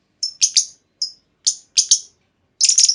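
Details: Female lovebird calling so other lovebirds answer with long trills; sharp high chirps singly and in pairs, ending in a dense harsh rattling burst.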